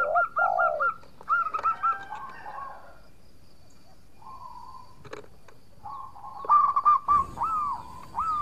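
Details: Local zebra dove singing for use as a lure, provoking rivals to answer: staccato notes and falling coos at the start, a quiet stretch with a single sustained tone, then more clipped, swooping notes.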